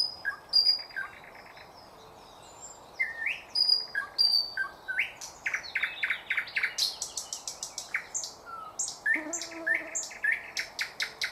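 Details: Thrush nightingale singing, 2024: a long, varied phrase of whistles, sharp clicks and fast rattling series of repeated notes, with crisp slurred chirps and a brief low tone near the end.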